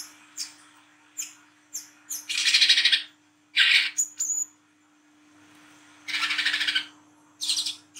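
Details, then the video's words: Wiceh trotol, an olive-backed sunbird, in energetic nighttime ngriwik chatter: thin high chips leading into long harsh buzzy rattles, a few sharp whistles between, repeated in loose sequence; a steady low hum beneath. "KOLIBRI KELAPA WICEH TROTOL GACOR NGRIWIK NGLAGU MENTAL JAHAT"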